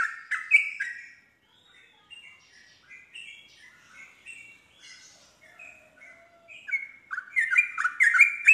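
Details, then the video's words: Yellow-vented bulbul singing to draw another bulbul into answering. Strong bubbly phrases open the passage, quieter scattered warbled notes follow, and a rapid run of loud gurgling notes returns near the end. "respon cepat untuk Trucuk bahan macet langsung terpancing nyaut ikut nropel"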